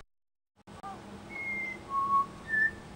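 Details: Australian pied butcherbird in suburban Brisbane, a mimic of local sounds, gives three clear, pure whistled notes, one high, one lower and held, then a high one again, over faint background hum.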